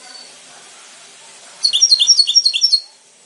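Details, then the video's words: Goldfinch bursts into a second-long string of rapid bright twittering notes after a quiet start, with a faint low hum behind. "the birds of the goldfinch, brilliant"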